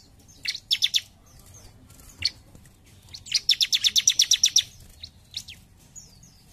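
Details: Song of a bar-winged prinia, "gacor jump shoot" style: a short opening run of chirps, a lone note, then a long fast series of about twelve high, even, ringing notes before trailing calls.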